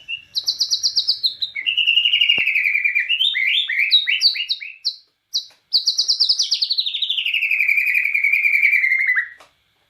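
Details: Bornean white-rumped shama in full song, pouring out a continuous rapid stream of varied whistled and chattering notes for nearly ten seconds, with a brief break midway and a long descending trill at the end.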